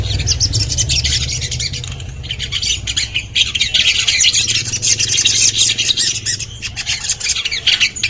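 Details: Common iora producing continuous harsh, raspy high-pitched chatter in irregular bursts, with a soft low engine-like hum in the background during the first seconds.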